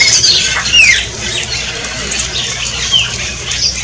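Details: Shiny cowbird song recorded in front of a house in Brazil: bubbly, scratchy notes with a few clear downslurred whistles and one thin, very high note, against a hissy background.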